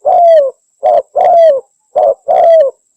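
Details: Spotted dove from Java, used as a lure call: five loud mellow coos in three seconds, the longer ones slurring gently downward, delivered in quick succession.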